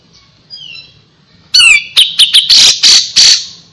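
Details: Soft whistled notes give way to a loud, harsh, sweeping cry, then several grating, squawky bursts from a grey-cheeked bulbul, recorded as a gacor tutor song.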